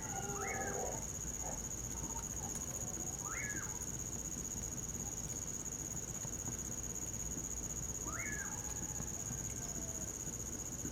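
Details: Common pauraque on a winter night, giving three slurred up-and-down whistles spaced a few seconds apart, with fainter low calls early on and a continuous high-pitched cricket chorus.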